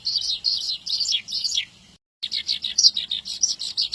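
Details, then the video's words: Javan bush lark tutor song for training young birds. Fast high chirping phrases break off, fall silent briefly, then resume with equally dense twittering. "Suara Branjangan Gacor ,cocok untuk Masteran burung branjangan Bahan"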